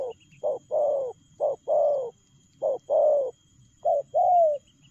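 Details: Spotted dove cooing quickly in 'lèo gù' style, low short hoots each followed by a longer slurred coo, four pairs in under five seconds.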